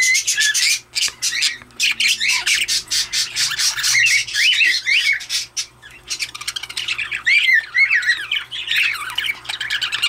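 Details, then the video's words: Recessive pied opaline budgerigar chattering indoors: continuous rapid scratchy warbles and squawks with wavering high notes, a brief pause midway, and a faint low hum beneath. "Budgie/Parakeet (Blizzard)"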